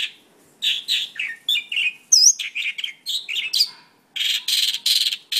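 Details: Mongolian lark in a busy chattering song of varied buzzy and whistled notes, one high ringing note midway, closing with broad, rasping bursts.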